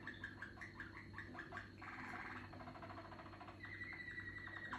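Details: Maturing young Malinois canary singing fast pulsed rolls, then a dense buzzy trill, then a sustained whistle laced with rapid pulses, all over a faint steady hum.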